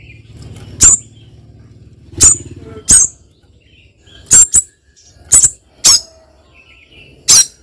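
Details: Female spiderhunter calling to a male; sharp, very high, short chipping notes, single or in quick pairs, spaced about a second apart, over a faint low hum.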